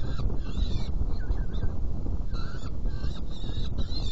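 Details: Nest box of saker falcons during feeding, 17 June 2018, 10:31: short bursts of rasping, harmonic calls come in clusters with brief pauses between them, over a continuous low rumbling background.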